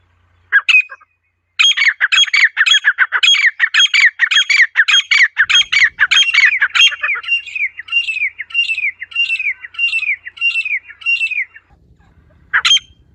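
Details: Natural call of a wild female partridge: a long fast chatter of harsh squawks that settles into cleaner, repeated downslurred notes, then stops. One last squawk follows.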